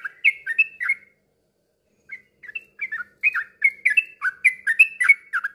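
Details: Yellow-vented bulbul singing, a recording meant to prompt stalled birds into ropel song: a few liquid slurred notes, a pause of about a second, then a lively run of bubbly, up-and-down whistled phrases.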